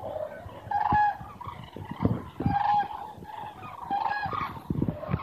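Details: Hundreds of migrating common cranes pass south over Meerssen, the Netherlands, at 2:04 pm on 9 November 2014, giving loud, rolling trumpeted calls every second or two over a rumble of traffic and low noise.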